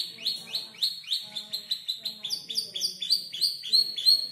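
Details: Canary around five months old learning to compose its song: quick chattering notes repeated about three per second, high and metallic, with faint low background murmur.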